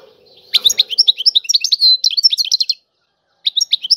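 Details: Goldfinch singing a fast jumbled twitter of bright chirps and short trills for over two seconds, including a brief steady whistled note, then a pause and a fresh burst; faint low hum at the start.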